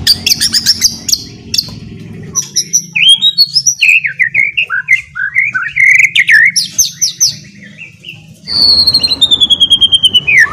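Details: White-rumped shama (murai batu) singing in the ngeriwik style, used as a lure to get another shama singing fluently: a long varied run of sharp high chirps, whistled slurs and fast rising and falling phrases, ending with a sustained descending whistle over a faint low hum.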